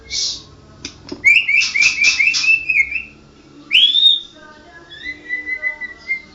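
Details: Murai batu, the white-rumped shama, a national champion songbird, singing: sharp rising whistled slurs in a quick run, a loud upward-sweeping whistle, then softer long flat whistles, with faint background hum.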